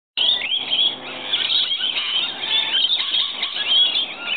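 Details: Rainbow lorikeets that come in every morning to be fed keep up a dense, continuous chatter of shrill, screechy calls, several birds overlapping with no pause.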